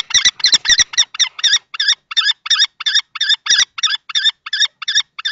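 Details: Nest-box fight between an older adult male and a young male common kestrel, Théding, France, 20 March 2024. Shrill, strident notes repeat about three per second, a few thuds at the start, then a clean run of calls.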